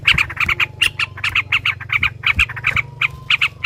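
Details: Sooty-headed bulbul excited by a rival's song: steady rapid series of short, harsh chattering notes repeated several times a second over a low constant hum.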